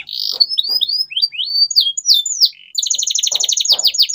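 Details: Canary song meant to stimulate silent canaries to sing again: fast runs of rising and falling whistled notes, then a long rapid trill of repeated buzzy chirps near the end.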